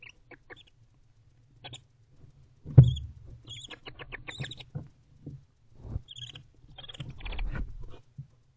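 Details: At night in an owl box in October, a bonded barn owl pair in courtship season make sweet soft noises: scattered high ticking and chittering note series, a louder thump and shuffling, then a final chittering burst over low hum.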